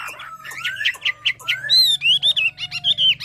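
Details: Hà Giang hwamei singing loud, clear whistled phrases: long rising slurs followed by a series of ringing, evenly spaced notes over a faint low hum.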